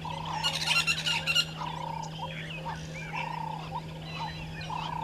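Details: At dawn, 05:48 on 13 December 2022, a Violet-backed starling pair calls at a nesting tree at Gowrie dam, Djuma Game Reserve, Sabi Sand, South Africa. A run of loud rasping, chattering bursts opens, with a pulsing chorus, other birds and constant hum behind.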